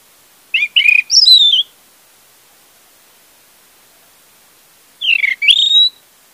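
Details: Orange-headed thrush song used as a lure to prompt a silent bird to sing: two short bursts of loud whistled, warbling phrases about four seconds apart, each a quick run of rising and falling notes.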